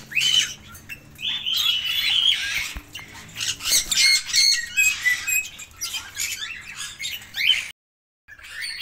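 Red-rumped parrots chatter in fast, shrill squawks and chirrups, several overlapping at once with a brief pause near the end.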